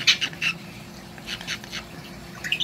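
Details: A female Cape parrot perched on a person's shoulder in the morning gives short, high, scratchy squeaks, about six in under three seconds, telling she is hungry, over a faint low indoor hum.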